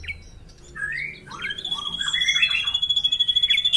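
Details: Indonesian drongo song: a sequence of slurred whistles and chattering notes climbing into a steady pulsing high tone that throbs rapidly to the end.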